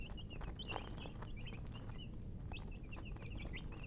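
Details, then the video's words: Domestic chicken chicks peeping: many short high chirps, often downslurred, come in quick irregular bursts over a steady low rumbling background noise. "Baby "Chicks Chirping" Sound"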